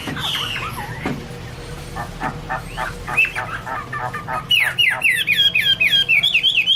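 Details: Chinese hwamei (Garrulax canorus) song: a quieter stretch of short chattering notes, then a loud burst of rapid, repeated whistled phrases rising and falling.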